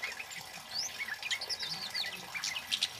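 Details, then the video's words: Male Orange-headed Thrush (kemade) singing loudly with imitated chili-bird and flowerpecker phrases, a song used for luring and tutoring birds: quick high whistled sweeps and chirps, some rising and some falling, tumbling busily over a faint steady hiss. "SUARA BURUNG KEMADE CABE CABEAN BUNGA API GACOR LANTANG"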